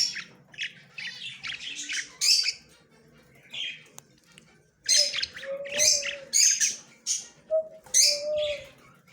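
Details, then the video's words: Yellow male budgerigar, recorded October 9, 2024; bursts of scratchy, buzzy chatter mixed with short warbled whistles, coming in clusters with brief pauses. "Australian bajari parrot yellow male bajari"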